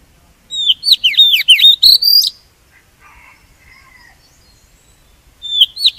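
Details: Oriental magpie-robin singing as a lure for trapping and to stimulate singing: a rapid string of swooping whistled phrases and a final long whistle, a pause with faint softer chatter, then the phrase starting again.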